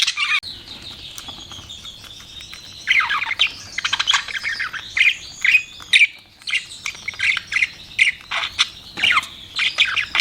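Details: Budgerigars chirping: a sharp opening squawk, then warbling chatter and a string of short, harsh chirps repeated about twice a second.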